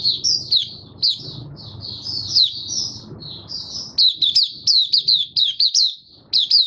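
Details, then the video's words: Open 'buka sing' singing by a caged white-eye on 18 May 2022, after completing deworming with supplements: varied high twittered phrases, then crisp staccato notes in rapid succession, with some low background rumble. "Mata Puteh Kitaro buka sing"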